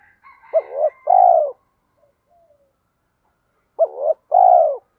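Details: Spotted dove in the 'thổ' voice style, a recording used to train decoy birds: two low coo phrases about three seconds apart. Each has a short looping note followed by a long rolling coo, with faint soft notes in the pause.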